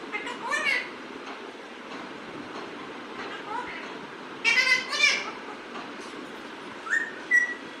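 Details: Pet parrot at home giving scattered harsh, harmonic squawks, with a short burst of two quick calls midway and a rising whistled note near the end, over a steady low background hiss.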